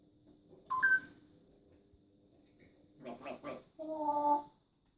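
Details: Indoor pet parrot, a plucked adopted female, showing off her repertoire: a brief rising whistle, then a pause, a quick rasping burst of three pulses and a longer harsh, tonal squawk.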